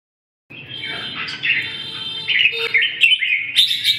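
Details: Red-whiskered bulbul song: a run of bright, warbled whistled phrases with quick slurred notes, fairly loud and continuous, over a faint low hum.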